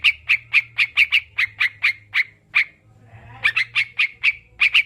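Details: Sooty-headed bulbul, recorded to stimulate kept birds into singing: evenly spaced ringing chirps about four per second, a short pause with a faint rustle, then the chirping resumes.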